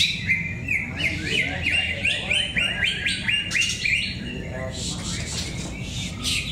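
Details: Greater green leafbirds competing at a singing contest in Cikeas, Monday 21/10/24; a series of fast, upward-slurred whistles repeated in quick succession, then buzzy chatter, over a crowd's low murmur.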